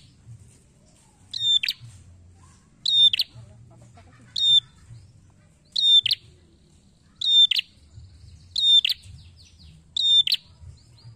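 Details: Lure recording of a prinia described as red-headed: seven sharp, high chirp-and-buzz bursts repeated roughly every one and a half seconds, fairly steady, with quiet low background hum between them.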